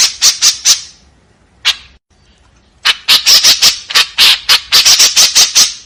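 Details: Harsh 'tembakan kasar' notes of a white-breasted woodswallow. A few rasping calls and a lone note are followed by a silence, then a dense, energetic burst of gritty chatter.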